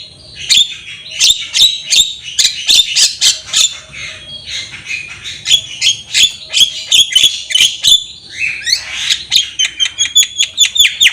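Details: Energetic Javan myna song used as tutor material for young birds: dense run of sharp clicks and short buzzy, high notes, repeated rapidly with brief pauses and a rasping burst near the end.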